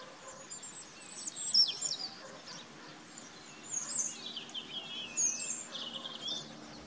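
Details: Northern lapwing (Vanellus vanellus), call.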